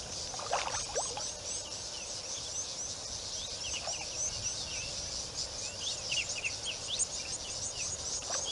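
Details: White-faced whistling ducks at Rosie's Pan waterhole, 25 November 2020, on a live wildlife camera: many overlapping high whistled notes and short slurred calls from a flock, over a steady shrill insect chorus.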